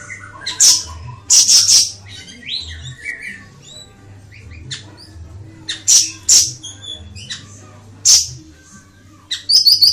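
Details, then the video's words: Ashy tailorbird song: loud, sharp high chirps and short buzzy bursts in clusters, separated by quieter gaps with softer twittering notes, plus a faint low hum underneath. "Kicauan Burung Siri Siri"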